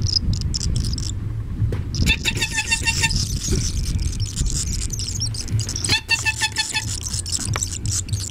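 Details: Barn swallow nestlings, about five in a nest at a house, begging with mouths open in response to a person imitating the parent's feeding call: two bursts of rapid, shrill chirping, each about a second, over a steady low rumble; mother arrives after.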